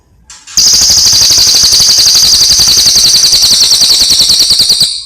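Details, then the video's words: Cililin song used as a training recording for other birds: a dense, continuous high buzzing trill, pulsing about three to four times a second, steady for nearly five seconds after a brief quiet start. "masteran burung cililin gacor"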